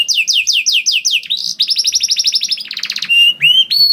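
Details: Canary song used to set off other canaries: rapid series of downslurred notes, a dense rattling trill, a buzzy stuttered burst and a few drawn-out whistled notes.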